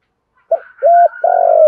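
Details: Lure cooing of a spotted dove, for training birds and attracting wild doves: a clipped hoot, then a steady level coo, then a drawn-out slightly falling coo, all low and mellow with a faint higher overtone.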